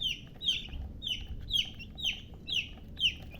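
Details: Baby chicken chicks peeping: loud, clear descending high peeps repeated about twice a second in a steady series, with faint low background rumble.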